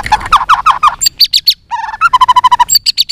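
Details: Fighting song by a white-rumped shama flicking its tail: fast stuttering series of short notes, then a brief rough buzz, then crisp rapid repeated chips alternating with higher notes.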